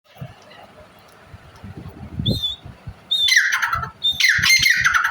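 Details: Female grey francolin calling: loud, harsh, grating squawks in two rough bursts after a quiet start with faint low rustling and knocking.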